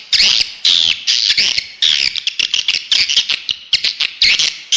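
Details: Swiftlet lure call played to attract birds to a bird house: loud, harsh chirping bursts with sweeping squeaky notes, repeated in quick irregular groups.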